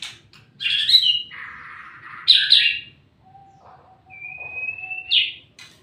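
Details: White-rumped shama singing actively: a loud buzzy rising phrase, a harsh mid-pitched rasp, a sharp high burst, then a long thin level whistle ending in an upslurred flourish, over a faint low hum.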